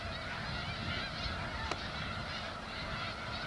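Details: Snow Geese by the thousands on sprouting wheat in the Skagit Delta, Washington, give a thick, continuous chorus of high nasal honks; one sharp click cuts through midway.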